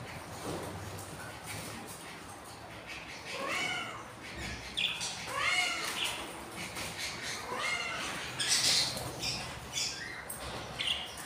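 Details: Four-day-old budgerigar chicks, hungry, three hatched from eight eggs of a breeding pair; thin, arched, wailing cries repeat in short groups every second or so, with rustling and hiss behind.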